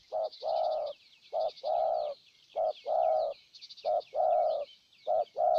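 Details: Decoy spotted dove in Ninh Thuận, Vietnam, cooing strongly to lure a wild dove: low paired coos, a short note then a longer held one, repeated about every second, with high thin chirps of small birds behind.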